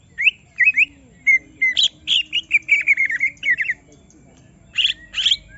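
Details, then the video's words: An agitated greater green leafbird, stirred up so it reveals its whole song repertoire, delivers quick twisting whistles and a rapid chattering run of slurred notes, then pauses before harsher buzzy bursts. "Semua Cucak Ijo Langsung Emosi Bongkar Isian mendengar suara Cucak Ijo lagi di Trek Emosi ini"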